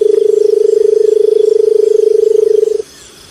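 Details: Barred buttonquail giving a low, rapidly pulsed purring hum at a constant pitch. It is loud and continuous for almost three seconds, then cuts off into quiet background.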